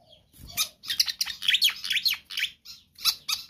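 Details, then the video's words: Pied fantail in lively, vigorous song, recorded for luring or training other birds: a dense run of squeaky, chattering notes with sharp downslurred chirps, broken by short gaps. "Sikatan Kipas GACOR ISTIMEWA Cocok Untuk Pancingan Burung Bahan Anda"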